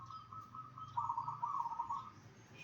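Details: One clear zebra dove song phrase used to get other zebra doves calling back: a fast, bubbling run of clipped coos lasting about a second, steady in pitch, over faint low hum.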